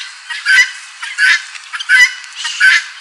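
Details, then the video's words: Harsh, scratchy calls of a helmeted guineafowl, four loud grating bursts at roughly 0.7-second intervals over a hissy background. "OUÇA O SOM DA GALINHA DA ANGOLA CANTANDO, CAPOTE, GUINÉ, COCÁ, TO FRACO"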